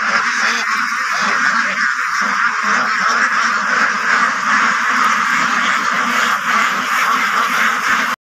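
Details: On a farm, a crowd of white Pekin ducks gives a constant wall of harsh quacking. The many overlapping calls blend into a dense roar that stops abruptly at the end.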